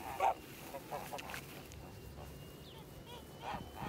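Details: White Kholmogory gander hatched in 2017, kept on a farm for old breeds, gives a brief nasal honk early on, then quieter calls and faint background noise.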